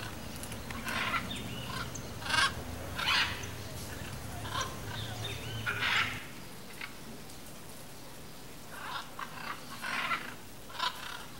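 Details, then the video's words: Pair of blue-and-yellow macaws hidden in riverside forest vegetation in Brazil: harsh, raspy squawks come in short bursts, several close together in the first six seconds, then scattered calls over faint forest background. "Casal de Arara-canindé Camuflado na Mata Ribeirinha - (Ara ararauna) Blue-and-yellow Macaw"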